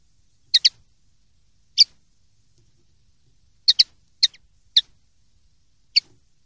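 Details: Common linnet heard alone indoors in a very quiet setting, with brief high twittering chips, single and paired, scattered irregularly over several seconds.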